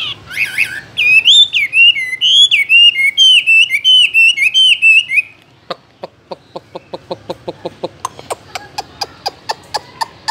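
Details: Chinese hwamei in a cage sings a fast, rhythmic series of looping whistled phrases for about four seconds, then a steady run of sharp clicks follows.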